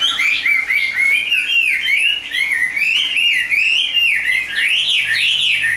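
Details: Continuous fluty song of a Chinese hwamei kept as a songbird, flowing through wavering, looping whistles that climb and fall without a break.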